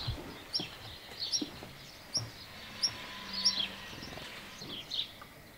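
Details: Black redstart observed up close: short, sharp, high-pitched call notes repeated roughly every half to one second over a quiet background with faint low rumble.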